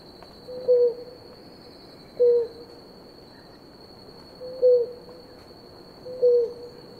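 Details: Blue ground dove of a drinking pair repeats a low, brief, slightly falling coo four times, roughly every one and a half to two seconds, while an insect hums continuously at a high pitch.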